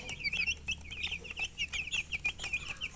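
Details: Thirsty baby chickens peeping for drinking water: quick, bright, high cheeps repeated several times a second, each a short downward-slurred note, from a few chicks calling together.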